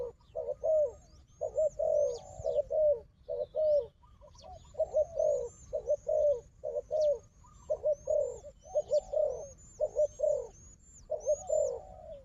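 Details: Combative wild dove sparring with a decoy dove: dense series of deep, rough coos, often in pairs, continuing for twelve seconds, with repeated faint high chirps of small birds behind.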